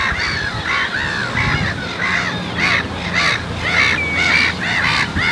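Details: Flock of Icelandic black-tailed godwits at Marshside RSPB Reserve, Southport, Lancashire, in June 2014, captured with a Lumix GH4: repeated nasal, arching calls, roughly two per second, several birds overlapping.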